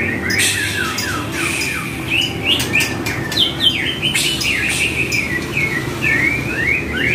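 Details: Varied white-rumped shama song used as a training recording: quick chattering notes and short whistled slurs, repeated in rapid bursts against constant background hum.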